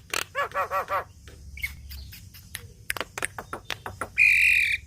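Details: Actively singing Javan myna, recorded for training songbirds: a quick run of four harsh chattering notes, scattered sharp clicks and chips, then a sustained high whistle at the end.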